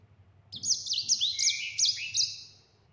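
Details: Clear-voiced yellow-fronted canary, a tutor recording of rolling sanger song. Five quick looping whistled phrases in a row, each rising and dropping, over a lower sustained note and a faint background hum.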